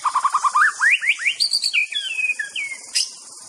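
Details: Song of a white-rumped shama. It opens with a quick run of low repeated notes, then climbs into upswept whistles and ends in sliding, fluty phrases, with one sharp high click near the end.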